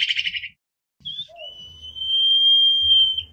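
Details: Common iora song played to lure and call the flock: a short buzzy rattle, a pause, a brief note, then a long, pure, steady high whistle of about two seconds.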